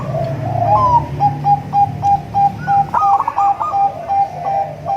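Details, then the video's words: Local, crossbred and Bangkok zebra doves giving a melodious lure song: a rising slurred note, then a line of clipped even coos, a rolling trill and more steady notes; low rumble early on. "suara merdu untuk memancing perkutut anda"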